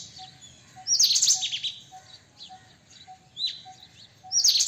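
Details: White-throated kingfisher: a sharp, rasping high chatter lasting about half a second, then quieter chirps and thin slurred notes, and a second loud chatter burst at the end over a faint regular ticking.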